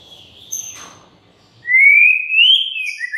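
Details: White-rumped shama song used as a lure to get other shamas singing: a faint wavering whistle, a pause, then a loud, clear whistle sliding upward and held, with thin high notes above.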